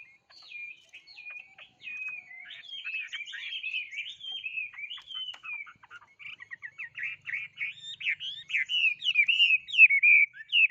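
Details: Continuous, rambling bird song of twittering and warbled notes that grows louder and more rapid in the second half.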